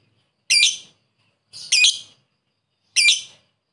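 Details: Lovebird calling a rival, as a lure: three harsh, buzzy squawks spaced about a second apart, the middle one doubled, in a quiet background.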